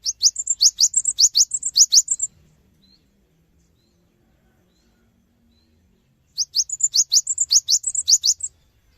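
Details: Cinereous tit, locally gelatik batu, giving a lure song to prompt replies from other birds; two quick series of sharp upswept chirps and high whistles, split by a four-second pause.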